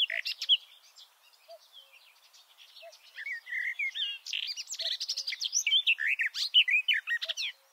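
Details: Garden warbler, a male singing from deep inside a bush, recorded from about two meters below; a long, fast, rich warbling stream of varied whistled and scratchy notes building in loudness, with soft low notes from another bird.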